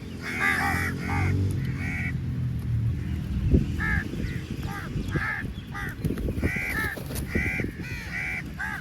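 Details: Many crows crowd onto food at feeding time and call loudly: scattered harsh caws come in short groups, over a heavy low rumble like traffic or engine noise.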